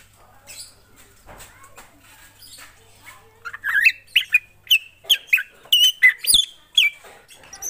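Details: Black drongo singing in full voice: quiet scratchy notes at first, then a steady series of loud, sharp whistled notes with rasping edges, about two each second.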